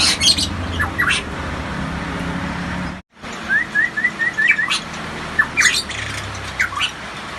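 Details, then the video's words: Variable pitohui, Papuan endemic kept as a cage bird: a brief break, then a steady series of six short upslurred whistles in quick succession, followed by scattered harsher notes. "suara asli pitohui gacor"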